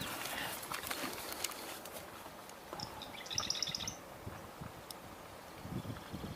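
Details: A Marsh Wren, heard from a car beside a roadside marsh with freshly cut vegetation on 29 June 2022, sings a rapid, mechanical rattle of high, dry notes lasting about a second, over road noise, with a quieter swamp sparrow nearby.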